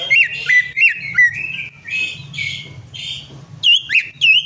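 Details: Greater green leafbird singing to provoke a non-singing bird: a run of bouncy, dipping whistles that slide into rough buzzy phrases, then several sharp bright whistles, steady low hum behind.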